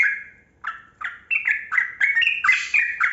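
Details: Yellow-vented bulbul in long rapid 'gacor ropel panjang' song, used to stir caged bulbuls into singing. Opening slurred whistles followed by a quickening string of gurgling, pitch-jumping notes.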